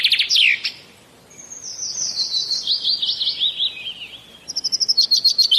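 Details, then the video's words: Common myna (shalik) in Bangladesh giving a short sharp note, then a long buzzy warble that slides gradually downward, followed by a fast series of high repeated chips. "Common Myna Bird Sound ! Shalik Pakhi Bangladesh Birds ! Shalik Pakhi dark ! শালিক পাখির ডাক"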